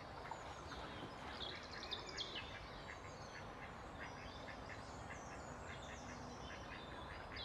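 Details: Mallards give a run of short, hoarse quacking notes about twice a second, fairly faint over steady outdoor background noise, recorded 31 March 2021, a female among them.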